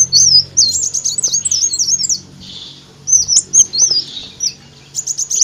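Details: Lure song of an olive-backed sunbird for drawing in birds: thin, high, looping trilled notes delivered in quick clusters, broken by a short pause, then more squiggly twitters over a quiet low hum.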